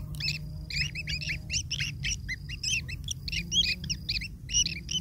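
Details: Long-tailed shrike chicks fed by a parent, calling in rapid bursts of harsh, squawky double notes, about two to three per second, with a constant low hum underneath.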